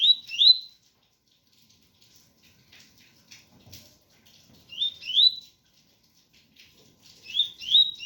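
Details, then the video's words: A double-collared seedeater repeats paired rising whistled slurs, tui-tui, about every two and a half seconds, with soft rain falling between phrases. "Coleiro ganga 001 entre tui tui puro com som de chuva"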